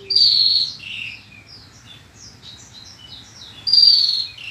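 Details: Horsfield's bushlark training song, 2022: a loud whistled phrase opens, then a run of quick buzzy chirps and thin notes, and a second strong whistle near the end, over a constant low hum.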